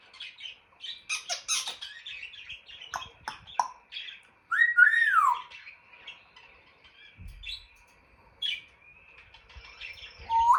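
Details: Clicks, squeals and pops from a pet African grey parrot: quick rattling clicks, a loud arched whistle that rises then slides down, then scattered chirps and a final upward note.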